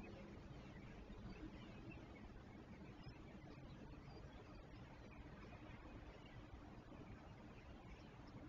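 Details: Only a steady broadband hiss with a low traffic-like rumble is heard, with no animal calls.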